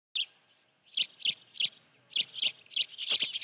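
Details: Osprey at its nest at Dunrovin Ranch with a live fish, 16 June 2019, mid-afternoon around 3:30 PM: short high whistled chirps, single and in quick pairs, repeated roughly every third of a second after a brief pause.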